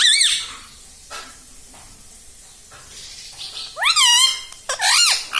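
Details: Rose-ringed parakeet kept indoors, repeating "mummy": one squeaky bent syllable at the start, a quiet gap with faint noises, then two loud arched harmonic utterances close together at the end.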